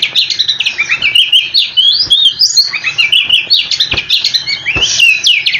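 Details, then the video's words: Oriental magpie-robin delivering a dense, nonstop 'ngerol' song to provoke replies from other magpie-robins: rapid chattering notes mixed with clear whistled slurs and quick descending runs throughout. "Kicau Kacer super ngerolllll abis dijamin kacermu langsung nyaut"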